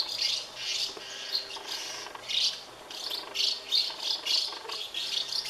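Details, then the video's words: Hungry House martin nestlings in a colony of thirty nests, fed by adults; rapid high-pitched scratchy twitters come in pulsing bursts roughly twice a second, loud and continuous throughout. "A colony of thirty House martin (Delichon urbicum) nests full of hungry chicks"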